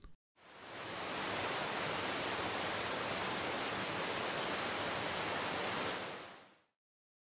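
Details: Broad steady rushing noise like a waterfall or stream, fading in and out, with no animal calls.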